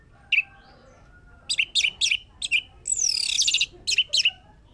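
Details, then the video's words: Orange-headed thrush singing, used as a lure to prompt singing: a lone high note, then a quick run of sharp chirping phrases, a long rich warbled trill and two final clipped notes, with a quiet background. "Pancingan anis merah biar bunyi"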